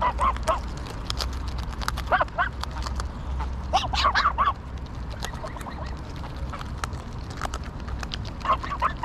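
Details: Honking greylag geese in Pearson Park, Hull, England, 22 August 2021, captured on a GoPro Hero9. Bursts of harsh, nasal honks come in clusters every couple of seconds over a steady low hum and light clicking.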